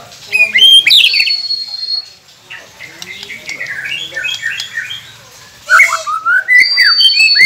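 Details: White-rumped shama singing, used to prompt captive birds to sing: varied rapid chattering and whistled phrases, sharp high notes, a long high steady whistle, pauses between bursts.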